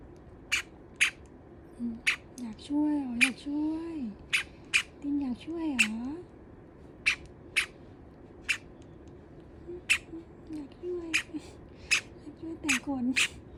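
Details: Two pet Java sparrows, one apparently complaining loudly while the other nibbles and preens its feathers, give sharp clicking tik notes, one to three a second, under a woman's soft running talk.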